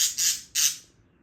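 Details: Female budgerigar, excited in the morning as wild birds pass outside singing, before her breakfast, gives three quick, harsh, scratchy chirps, two close together and one after a short pause, all high and rasping.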